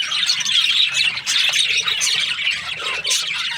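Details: Budgerigars, Australian parrots, chirping: a dense, continuous wash of scratchy, warbling chatter and squeaky notes from several birds, with short sharp squawks rising above the din.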